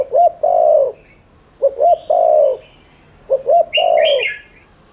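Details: Spotted dove cooing as a lure, three regular phrases about 1.6 seconds apart, each two short hoots and a long rough coo, with twittering from small birds near the end.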